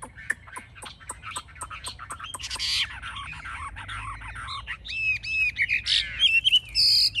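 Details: Caged Chinese hwamei, fanned tail and raised wings, a fierce fighter: a string of sharp ticking clicks, a harsh rasping passage, then short clear whistles and buzzy notes.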